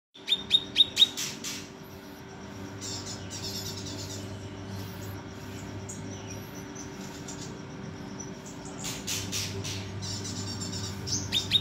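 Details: Kinoi bird: a quick burst of four sharp, high chirps in the first second, then mostly steady low hum, with another short run of chirps near the end.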